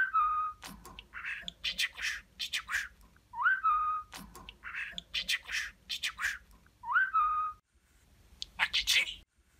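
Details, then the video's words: Pet talking budgerigar imitating speech and kisses: a rising-then-level whistle followed by rough chattered syllables, the phrase returning about every three and a half seconds, ending in a burst of hissy notes. "Öpücük Ağırlıklı Konuşan Muhabbet Kuşu"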